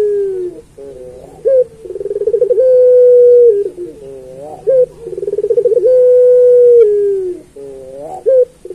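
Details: Repeated song phrases from a puter pelung turtle dove, kept for tutoring other pelung doves. Each phrase has a short bent note, a rattling roll, and a drawn-out coo that drops at the close, about three times in the clip.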